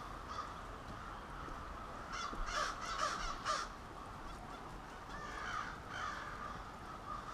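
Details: Crows at a nightly roost gathering in suburban Halifax, Nova Scotia: a burst of loud, rasping caws in quick series mid-clip, set against a steady murmur of many more distant crows.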